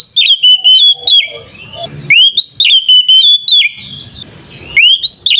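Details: Oriental magpie-robin singing ngeplong, an aggressive song to provoke other magpie-robins: three vigorous bursts of piercing whistled notes that rise abruptly then hold steady, with brief quieter gaps.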